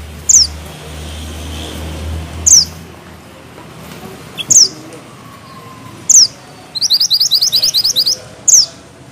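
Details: Mountain bushchat (mantenan gunung) singing actively, repeating sharp high downslurred whistles roughly every two seconds, broken once by a quick rolling burst of about ten clipped chipping notes.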